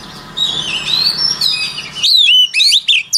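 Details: White-rumped shama singing as a voice-training model: a soft, sweet warbled whistle over faint background hum, then loud clear phrases of sharp downslurred and upslurred whistles in short bursts.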